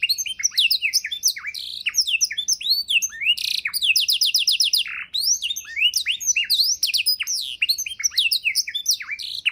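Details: Canary performing a dense 'isian' song for training songbirds: nonstop high chirps, repeated downslurred notes, brief buzzy bursts and fast trills flowing together without a break.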